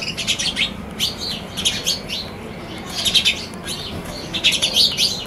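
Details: Balcony sparrows chirping in rapid clusters of sharp, high notes, the groups spaced roughly a second apart, with a constant low rumble underneath.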